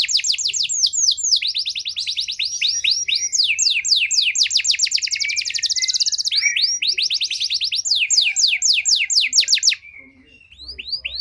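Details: Canary lure song (pancingan) to stimulate canaries in poor condition: long run of fast repeated high trills and downswept notes for about ten seconds, then a pause and a few faint notes.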